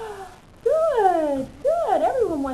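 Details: A male yellow-naped amazon parrot, after a shower and in front of a mirror, gives two nasal, warbling speech-like phrases about a second apart, each swooping up and then sliding down in pitch.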